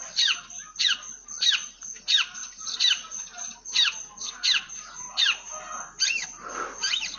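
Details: Long-tailed shrike singing with a full fill of house sparrow imitations: sharp chirping notes, sweeping down then up, repeated roughly every 0.7 seconds in an uneven series. There is a steady high hiss in the background.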